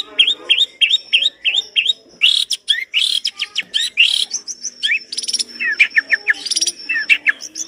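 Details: Long-tailed shrike singing vigorously, its song packed with rich, complete imitated material: a run of quick rising chevron notes, then dense scratchy bursts and varied twittering phrases, with a faint lower warble behind.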